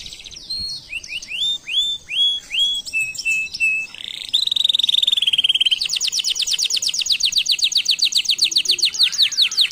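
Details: Canary singing a varied song. It opens with upslurred whistled notes, shifts to a sustained buzzy tone, then finishes with a fast, even trill repeating about four times a second.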